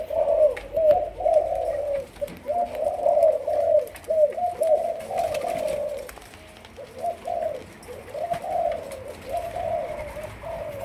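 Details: Caged juvenile spotted dove of the Malaysian type, in decoy training. Soft, rounded coos run almost continuously in quick groups, easing briefly midway before resuming, with a low steady hum behind.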